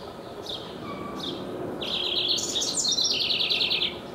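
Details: A house wren sings in a backyard near its nest box. After a few soft thin notes comes a loud bubbling burst: a tumbling, rapid trill of high notes that drops slightly and rattles on for about two seconds.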